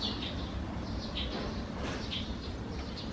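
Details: Eurasian tree sparrows at their nest under a roof's eaves on a June morning; a few soft, high chirps spaced about a second apart sit over a heavy low rumbling background.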